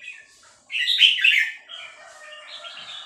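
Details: Female red-whiskered bulbul in three-syllable song style: one loud, rich warbled phrase lasting under a second, followed by softer, trailing chattering notes.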